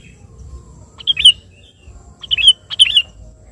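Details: Sooty-headed bulbul calling a rival in a brief excerpt: one short slurred whistle, a pause, then two quick bubbling whistled phrases in close succession, over soft low background noise.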